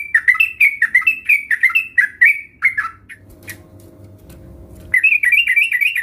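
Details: Sooty-headed bulbul (trucukan) song used to spur sluggish birds into singing: a brisk series of warbled notes, a gap filled with humming and a clatter, then the chattering resumes.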